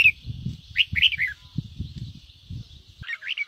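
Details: Red-whiskered bulbul ché song for stimulating other birds to sing: a short phrase of a few bright, slurred whistled notes, a pause filled with low rumbling noise, then another quieter phrase.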